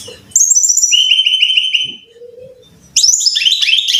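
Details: Brown-chested jungle flycatcher song for training caged birds to sing: a loud series of repeated high whistled notes, steady and slightly falling, then a pause with a faint low tone, then a new burst of rapid stepped notes.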